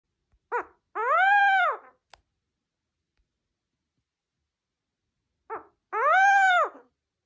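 A burrowing owl gives a two-part hoot twice, about five seconds apart: a brief clipped note, then a longer rising-and-falling cooing note, in a quiet room.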